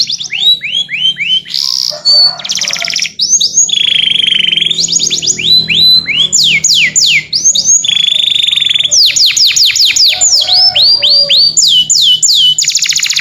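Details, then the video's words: Canary calling its companion in an extended clear-voiced sequence of downswept whistles, buzzy trills and held tones, rapid and varied throughout. "O SOM DE UM CANÁRIO CHAMANDO SEU AMIGO, VOZ CLARA"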